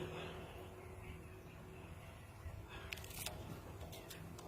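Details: Low electrical hum and quiet room noise, broken by a few sharp clicks and knocks near the end, with no bird or other animal calling.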